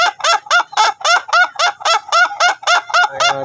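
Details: Ayam Ketawa rooster of the long-duration type, crowing while being trained; a fast, even string of clipped, cackling laugh-like syllables, about four per second, each with a rising-falling inflection.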